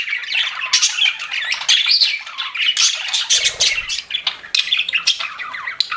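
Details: Several pet budgies chattering in a busy flock: rapid squawky warbling, buzzy notes and quick rising whistles blend into an unbroken stream, with a faint low bump near the middle.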